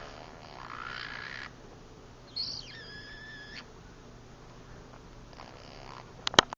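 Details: Pet green-cheeked conure asleep with the lights off, giving a soft wavering whistled whine that steps down in pitch, then quiet breathy sounds and a final sharp click.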